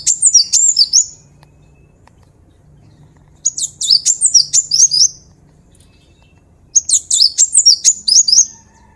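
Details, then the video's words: Cinereous tit (gelatik batu / wingko) vocal master recording. Three phrases of fast, high, chattering slurred notes, each lasting about one and a half seconds, come roughly every three seconds over a faint low hum. "Guru Vokal | Master Burung Glatik Batu / Wingko"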